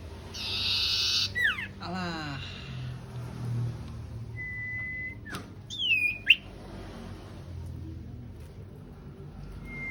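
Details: Sooty-headed bulbul pair, male and female, in full voice: harsh raspy bursts ending in downward-slurred whistles, a long level whistle, and sharp swooping notes, against low background rumble.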